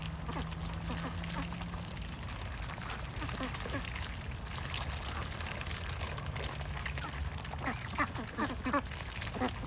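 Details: Ducks quacking in clipped, nasal bursts that grow busier toward the end, set against steady broadband noise and a faint low hum.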